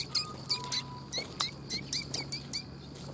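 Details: Sparrows coming to be fed at a Tenmangū shrine on 3 October 2021: rapid short chirps and cheeps repeated several times a second throughout, several birds overlapping, over a steady low hum.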